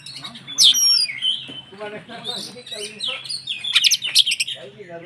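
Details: Kacer, the white-rumped shama, singing to provoke rivals into agitation: bright piercing whistles and bursts of sharp high chirps, with a person talking underneath.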